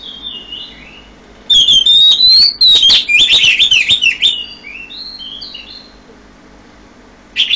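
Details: Oriental magpie-robin singing at 5 a.m., a loud burst of sweet whistled phrases and sharp rapid notes around the mid-high range, with softer distant whistles before and after.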